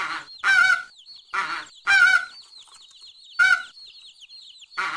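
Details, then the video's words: Goose giving loud, harsh, nasal honks in short bursts about every second and a half, each call rich and ringing, while small birds chirp and twitter faintly in the background between calls. "Гусь голос . Қаз дауысы . Голос птицы."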